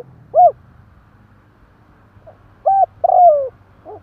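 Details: Spotted dove cooing in a recording meant to rouse wild doves quickly: a lone arched coo, a pause, then a short flat note and a long drawn-out coo sliding downward, with a faint low hum underneath.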